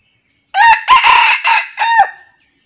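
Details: Territorial resident male red junglefowl that approached a decoy quietly; a loud crow in four to five linked segments over about one and a half seconds, harsh and harmonic-rich, ending in a drawn-out falling note, against a quiet background.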